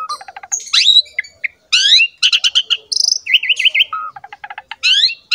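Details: Asian pied starling song used as a lure to make other songbirds sing; rapid varied phrases mixing clicks, high slurred whistles, buzzy trills, a wavering warble and quick repeated chips, with no background sound.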